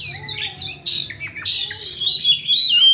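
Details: Oriental magpie-robin calling in the energetic 'ngeplay' manner: short bursts of high whistles and squeaky sweeps, some notes dropping sharply, ending in a sustained wavering whistle.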